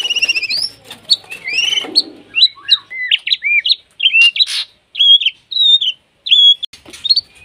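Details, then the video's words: White-rumped shama in breeding condition calling a rival: a fast trill and varied chirps, then a clean series of separate whistled notes, each slurred up and down, spaced under a second apart. "Murai Batu Birahi Gacor Manggil Lawan"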